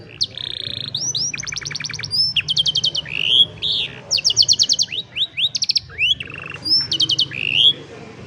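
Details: Young canaries in training, recorded on a cellphone: a varied song of rapid buzzy trills, rising whistled sweeps and repeated chopped notes in fast bursts, with a faint low hum underneath.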